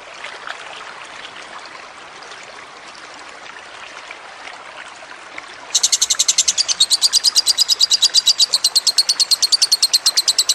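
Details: Kusumo lovebird song over trickling water, used as a training recording: several seconds of water hiss alone, then a loud, very fast burst of high, sharp chattering notes continuing to the end.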